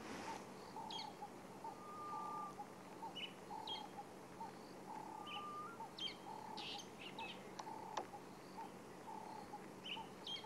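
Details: Grey-headed bushshrike ("ghost bird") at sunrise, Sabi Sand, 23 March 2016: two drawn-out, low, eerie whistles, each under a second, over a busy chorus of repeated short notes and higher chirps from other birds.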